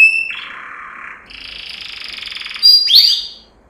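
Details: Yellow canary, Serinus canaria, training song: a short pure tone, a low rolling trill, a higher buzzy trill, and a bright final flourish.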